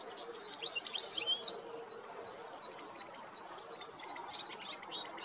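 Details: Spring song of a European goldfinch in Israel's Golan Heights: bright, fast twitters with quick rising and falling slurred notes, a busier burst early on, then looser scattered chirps over faint hiss.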